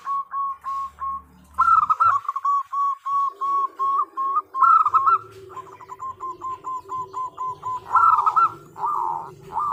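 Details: Female zebra dove of a local strain calling to a male; steady runs of short, evenly spaced cooing notes broken by louder warbled, trilling phrases, with faint low hum beneath.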